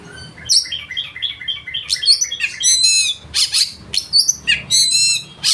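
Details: Oriental magpie-robin in full, loud song: quick runs of short varied notes, then harsh buzzy bursts mixed with high whistles.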